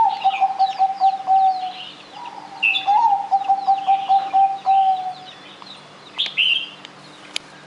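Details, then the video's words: Zebra dove singing actively, used as a lure to prompt other birds to sing: low, rapid stuttering coos run in pulsed trills over several seconds, with higher chirps from other birds in the background. "anggungan perkutut gacor"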